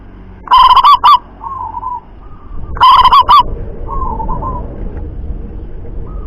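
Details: Two loud rolling coo phrases from a local zebra dove, each of quick stuttered notes, with softer coos after them over a faint background hum.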